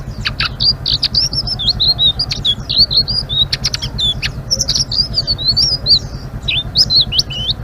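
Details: Blue-winged leafbird singing in an energetic, chattering ngeriwik style: a rapid run of high, bright whistled and twittering notes that twist up and down, with short sharp clicks between phrases over a steady low hum.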